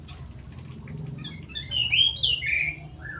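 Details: Straw-headed bulbul in captivity giving a high thin opening note, then a loud, bubbling whistled run that climbs and tumbles down, ending on a lower sliding whistle; low background rumble.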